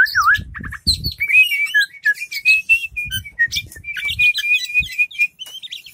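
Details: Captive Oriental magpie-robin, tail spread, singing a fast, varied run of whistles, trills and chirps that swoop down and up, with intermittent low thumps in the background.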